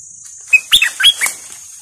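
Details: Captive decoy bulbul, described as a fierce caged bird, recorded 18 July 2021: a short run of four or five quick, clear chirped notes, some bending upward, over a steady thin high whine.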